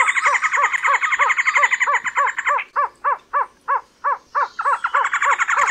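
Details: Trogon giving a rapid sequence of hollow, evenly spaced notes, about three to four a second, under a loud buzzing insect-like drone that fades midway and returns near the end.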